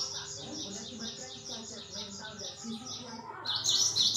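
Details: Gelatik batu (cinereous tit) singing: a soft, rhythmic string of high, buzzy repeated notes that swells into a louder, sharper burst at the end. Low voices murmur behind it.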